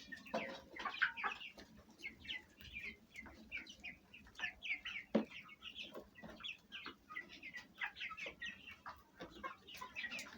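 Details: Fayumi hens and chicks kept at home, a breed of Egyptian origin, feeding and squabbling; a busy chorus of short, high, chirped peeps and soft clucks from many birds, punctuated by occasional sharp taps.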